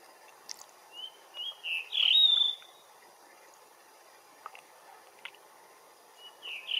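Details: Blue rock thrush singing in morning sunshine, short whistled phrases spaced apart, a rich warbling burst around the middle, then a long pause before another brief whistle near the end.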